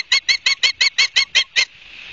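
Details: Osprey at a nest in Barnegat Light, New Jersey, home to a breeding pair, 31 August 2022 around 12:30: a quick run of nine sharp, high whistled chirps, about five per second, then faint hiss.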